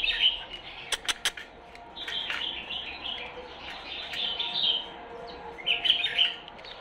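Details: Tame pair of Shirazi-strain canaries in Baghdad, just beginning to sing but not yet in full song, giving soft, twittering phrases with brief chirps and trills.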